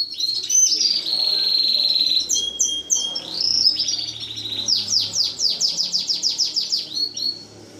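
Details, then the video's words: Canary singing a long, steady, high rolling trill for about two seconds, then varied swooping whistles, closing with a fast run of about a dozen repeated downward-sweeping chirps; quiet background. "Kanarya Ötüşü"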